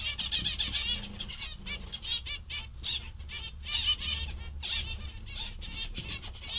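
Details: Happy zebra finches keep up an almost continuous chatter of nasal, buzzy beeps in quick runs, several birds overlapping, with a low hum in the background.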